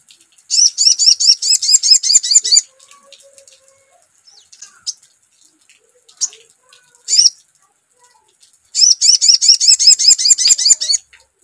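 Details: Sogon lure song: two bursts of rapid, high, buzzy chirps repeated about two to three per second, each burst lasting about two seconds, with faint soft clicks and a short chirp between them.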